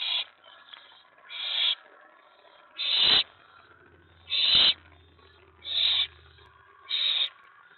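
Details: Owl family at the nest after midnight on May 24 2017, when a mouse and then a rat are brought in and an owlet stores the rat. Six harsh hissing screeches come at irregular intervals, with a faint low rumble partway through.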